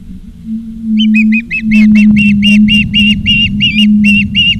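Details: Osprey calling at its nest in Charlo, Montana, afternoon of 17 August 2023, nest camera: a fast run of about fourteen clipped, piercing whistled chirps, growing louder, over a constant low electrical hum.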